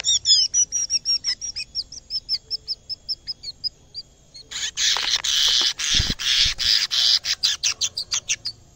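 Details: Caged canary singing loudly on first seeing a camera: a run of clear whistled notes repeated about three per second, a brief pause, then a powerful buzzy rolling trill ending in fast pulsed notes.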